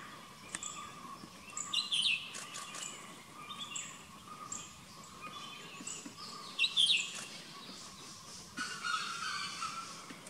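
A southern hill myna gives loud, harsh, piercing whistled calls in two bursts about five seconds apart, over a steady insect drone and faint chirps.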